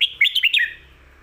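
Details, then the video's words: Red-whiskered bulbul song kept for teaching young birds, a quick phrase of five or six clear whistled notes hopping between mid and high pitch in about half a second, then a fading echo. "สำนวนครบเครื่อง"ร้องดี ปากไว(ไว้สอนลูกนก)#เสียงนกกรงหัวจุก"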